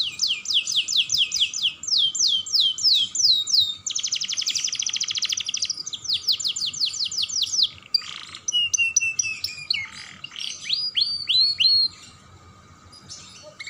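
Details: Young canary used as a stimulus bird for other canaries, singing a long varied song: fast trills of downslurred notes, a dense buzzy rattle, then sharp whistled sweeps and steady tones, all high-pitched and continuous.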